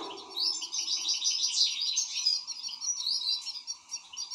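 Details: An excited European goldfinch sings a steady stream of twittering, tinkling notes with occasional buzzy trills. The rising and falling phrases blend together over a soft, constant hum.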